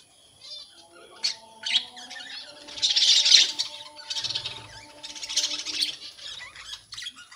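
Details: Budgerigars in a breeding colony with newly emerged babies, giving quieter bursts of buzzy chirping chatter that swell and fade, a constant hum in the background.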